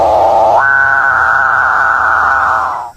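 A Capuchinbird gives a rough, grinding opening that jumps into a long, steady, droning moan lasting over two seconds, then cuts off. No other sounds.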